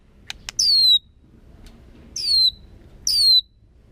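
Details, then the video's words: White-rumped shama giving three clear, high whistled notes, each sliding downward and spaced about a second apart. Two brief taps come first, over a steady low background hum. "chòe lửa hót giọng rừng. kéo thuốc lào kích bổi. tiếng chim chích chòe lửa hót"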